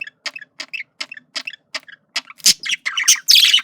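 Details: Male budgie courting with evenly spaced short, clicky chirps about every third of a second, then rising into louder, harsh, buzzy squawking warble at the end.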